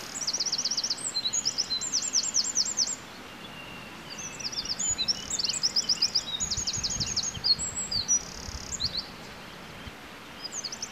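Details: A Eurasian wren sings at first light in the early morning, pouring out a loud, very high, rapid song of trills and sharp notes in bursts of a few seconds with short pauses, over faint background hiss.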